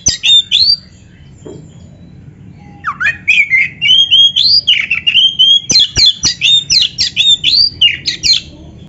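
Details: Lively 'gacor isian' singing of an Oriental magpie-robin, meant to provoke rival birds into replying. A brief call, a quiet gap, then rising slurred whistles give way to a fast run of sharp, repeated chattering notes.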